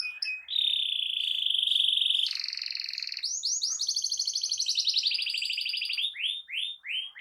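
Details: Canary delivering a loud song to prompt rival canaries to sing: a long steady whistled tone, then a rapid rattling trill that breaks into a run of rising upswept notes.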